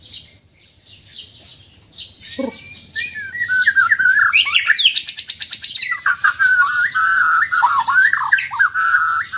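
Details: Sabah white-rumped shama from Borneo: a quiet start with a low buzzy note, building into a fast, rattling series of clicks and trills over warbled whistles, loud and continuous.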